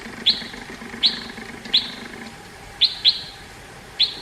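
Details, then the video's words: Red-whiskered bulbul, the Indian bulbul, giving sharp, high, clipped notes spaced about a second apart, one quick pair near the end, over a soft low hum. "red whiskered bulbul singing 🎶 indian bulbul bird sound"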